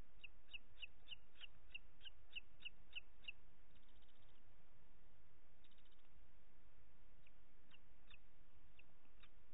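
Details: Booted eagle at its nest in the Ports Natural Park, Catalonia, on an evening of 25 June 2021 at 21:38, as the mother feeds two chicks: a run of thin, high chirps about every third of a second, then sparser notes over steady hiss.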